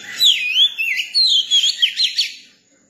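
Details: Young Oriental magpie-robin singing a clear whistled phrase: a falling then rising slurred note, followed by a quick run of sharp, bright notes, ending after about two and a half seconds.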